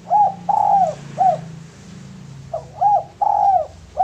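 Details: Male spotted dove, recorded for use as a lure, giving two cooing phrases: a short rising note, a long drawn-out coo, then a short downslurred note, the phrase repeated after a pause, over a low background hum.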